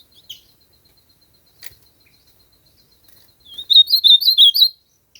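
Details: Ultramarine grosbeak song: a short phrase of warbled, slurred whistled notes about one second long near the end, after a few faint isolated chips and a steady faint high tone.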